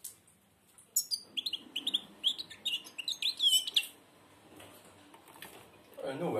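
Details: Blind European goldfinch with beak almost closed delivers a lively string of high chirps, trills and buzzy twitters for about three seconds over steady background hiss, then a voice begins.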